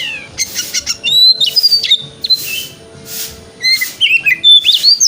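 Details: White-rumped shama (kacer) delivering a 'wikplong'-style song for morning tail-opening therapy: crisp whistled notes and slurred phrases, some loud sharp upslurs, interspersed with brief pauses and a faint steady hum.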